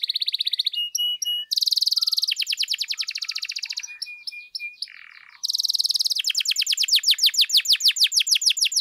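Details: Canary song used to stimulate other canaries to sing, mixing sustained buzzy trills, flat high whistled notes and a low buzz, then a long run of fast steep chirps.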